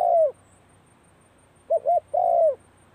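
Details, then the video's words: Spotted dove practising its call at the start of the cold season: one long, low, falling coo, a pause, then two short coos and another drawn-out coo that slides downward. Quiet background. "เสียงนกเขาใหญ่ เข้าหน้าหนาวออกซ้อม"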